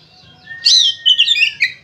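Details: Oriental magpie-robin, locally kacer, singing gacor ngeplong as a lure for other magpie-robins: a long faint whistle, then a quick, loud tumble of sweet warbled and trilled notes.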